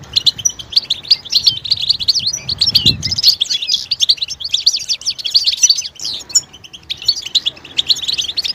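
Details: European goldfinch uttering betbeta mating calls that stir males to sing. A long run of continuous, fast, high twittering and buzzy chirps breaks off near six seconds, then resumes.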